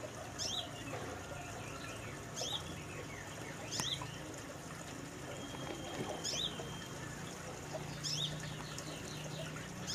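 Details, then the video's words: Brown-throated sunbird singing lively in a small cage aviary: scattered sharp high chirps and short twittering notes at irregular intervals, one thin sustained whistle, over a soft trickle of water and low background hum. "Suara burung kolibri manggar gacor di kandang mini aviary"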